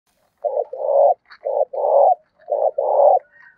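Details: Spotted dove used as a lure bird, cooing intensely in the thổ voice style to provoke rivals to fight and draw wild birds in: three phrases about a second apart, each a short low note followed by a longer hoarse coo.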